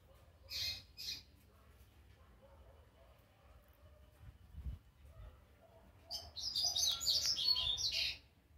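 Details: Young rusty-collared seedeater learning its first notes: two short high chirps early, a quiet stretch with faint low sounds, then a two-second run of rapid, scratchy twittering warbles.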